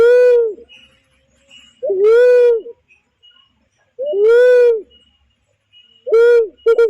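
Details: Barred cuckoo-dove repeating its deep two-part coo as a trapping lure: a short upslurred note then a booming, rounded 'wooo', four calls about two seconds apart, ending with quick stuttered notes.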